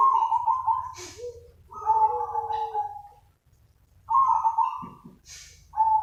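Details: Zebra dove lure call for attracting other doves: repeated rolling, vibrating coo phrases with a steady lower tone beneath, broken by a pause and a couple of brief clicking knocks, with a soft low hum throughout.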